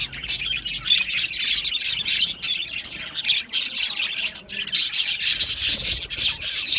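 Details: Budgerigars in a colony aviary produce loud, crowded high chirping and harsh squawks, with a short lull midway before the chatter resumes.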